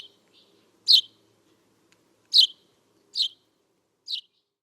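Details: Eurasian tree sparrow (Passer montanus) gives four sharp, bright chirps, spaced about one to two seconds apart, with a faint low hum beneath.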